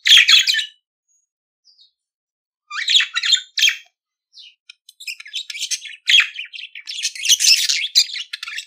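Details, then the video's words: Budgerigar singing, to help teach a pet budgerigar to sing: a scratchy chirp burst, a quiet gap, then increasingly continuous chattering warble with squeaks and buzzy notes. "CANTO DO PERIQUITO AUSTRALIANO - Ensine Seu Periquito Cantar !"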